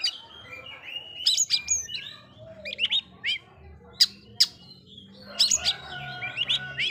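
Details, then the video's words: Oriental magpie-robin singing to provoke rival magpie-robins into agitation: scattered sharp chirps and high rising whistles with brief buzzy notes, loud bursts near the end, over faint low background hum. "Suara burung kacer bikin emosi kacer lain"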